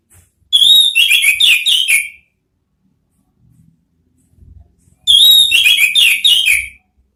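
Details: Orange-headed thrush (anis merah) singing, a lure track for kept birds: two similar bursts of rapid, slurred whistles with a descending, chattering quality, each about one and a half seconds, separated by a quiet gap.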